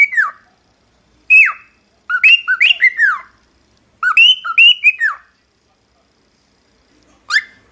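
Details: A cockatiel sings short whistled phrases: downward-sliding notes and quick rising-falling pairs, grouped in bursts separated by silences of about a second, ending with a single rising whistle.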